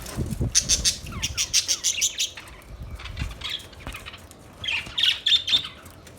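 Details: Budgerigars chirp in fast, clicking, buzzy trills at first, fading into quieter scattered chirps before a final louder squawky burst, with low rustling sounds.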